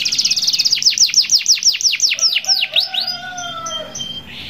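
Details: Canary song, played to get other canaries singing: a fast dense trill easing into evenly spaced descending chirps, followed by long soft whistled tones as the phrase fades.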